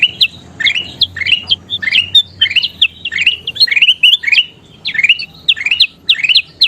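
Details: Bulbul called kutilang emas, recorded as a master song for training birds: bubbly whistled phrases, each a short rising slur, repeated about twice a second in a continuous chattering stream.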